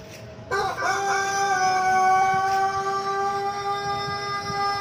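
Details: Pelung chicken rooster, a local breed from Cianjur, West Java, crowing to lure other roosters: a long, sustained, steady-pitched crow with rich harmonics, beginning after half a second and holding level for over four seconds.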